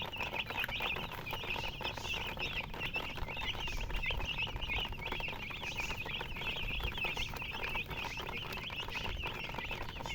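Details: A brood of baby chickens chirping, many shrill quick peeps running together in an unbroken stream, with soft low rumbling underneath.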